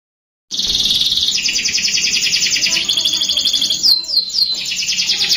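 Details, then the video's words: Young canary song used as a prompt to get young canaries singing quickly: a continuous high bright trill, rapid rolling notes about four to seven kilohertz, ending in a few quick downslurred chips. "PANCINGAN KENARI MUDA AGAR CEPAT BUNYI | CANARY SOUND"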